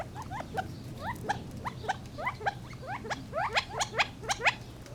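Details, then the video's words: Gambel's quail chattering: many short, upward-sweeping notes, overlapping and growing louder toward the end, with a low background hum. "Funny Sounds of the Gambels Quail"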